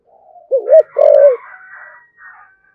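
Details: Spotted dove with 'thổ' style voice, urging 'thúc gù' coo meant to rouse other doves; one low two-part coo, a brief wavering note then a longer drawn note, over faint higher background hiss and chatter.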